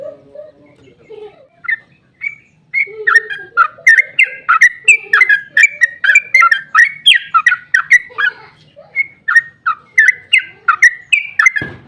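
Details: Trucukan, the sooty-headed bulbul, sings a long rolling lure song to draw replies: after a quiet, hummy start with low notes, a lively chain of liquid chirping whistles runs steadily, ending in a short thump.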